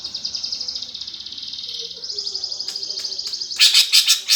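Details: Greater green leafbird performing sparrow-fight style song to stir up contest birds: a long fast high trill of steady ticking notes, ending with a few loud harsh bursts.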